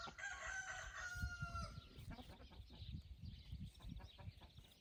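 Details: Rooster crowing on an evening among hens and roosters scratching in golden light: one drawn-out harmonic crow of almost two seconds ending in a falling tail, followed by soft scratching and low rustling sounds.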